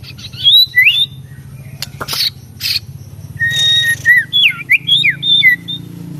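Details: White-rumped shama song: clear high whistled phrases, rising and falling, broken by harsh buzzy bursts, then a run of quick slurred whistles over a steady low hum.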